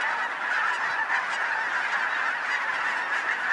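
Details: A huge flock of geese in Colorado, regularly gathering a couple of blocks from a home, raising a dense, unbroken din of overlapping nasal honks that blend into a steady roar.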